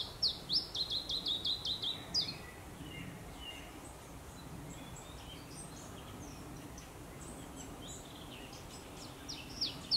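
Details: Song of an Iberian chiffchaff, Zuid-Holland, the Netherlands, 4 May 2022: a burst of rapid, evenly spaced high notes for two seconds, then mostly hiss with scattered faint chirps and a brief return near the end.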